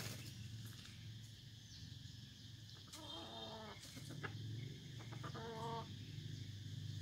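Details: F1 red junglefowl decoy bird from Vietnam calls twice, short harmonic-stacked notes roughly two seconds apart, with steady low droning noise throughout.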